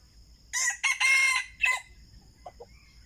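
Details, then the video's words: Red junglefowl lured with a decoy during trapping: one harsh, loud crow of about a second split into rough bursts, then two faint short notes, over steady background hum. "pikat ayam hutan"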